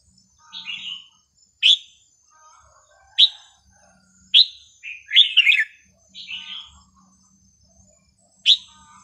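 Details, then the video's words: Red-whiskered bulbul singing varied, non-repeating phrases used to teach young birds: short bright whistled notes with rising and falling slurs, spaced about every one to two seconds, with a quick run of chattering notes near the middle. "นกกรงหัวจุกสำนวนเพราะๆ ร้อง เพลงไม่ซ้ำกัน เปิดสอนลูกนก"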